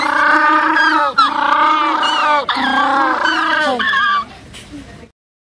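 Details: An African penguin at an aquarium gives loud, donkey-like braying honks in several long, harsh bursts.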